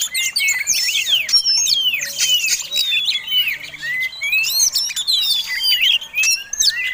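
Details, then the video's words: Continuous lure song of a fighting Oriental magpie-robin kept as a contest bird: rich run of looping whistles, downslurred notes and buzzy accents that barely pause, loud and varied throughout. "Kacer Tarung Ngobra Ngotot Gayanya Eksotik Bikin Ngiler || Pancingan Mewah!!!"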